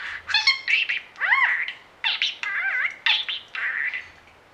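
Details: Budgerigar kept as a pet that imitates a meow, woof, snore, squawk and singing: squawky, wavering notes that bend up and down, several harsh chatters, and a few whistled slurs.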